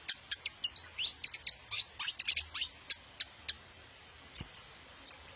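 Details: Long-tailed shrike, daput type, delivering song that spurs other shrikes to sing: quick, varied, very high ticks and whistled slurs in a dense burst, a pause, then a few sharp squeaky notes.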